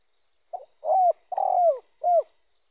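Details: Cooing phrase of a spotted dove, a sound used to lure other spotted doves: a quick introductory note, a smooth coo, a long vibrating coo dropping at its tail, and a short final falling coo in silence.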